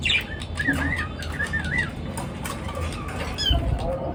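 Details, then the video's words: Birds chirping in the morning: short wavy whistled notes and chirps rising and falling around the middle of the clip, with scattered higher ticks and a steady low rumbling background throughout. "পাখির কিচির মিচির ডাকে সকাল বেলার ঘুম ভাঙা"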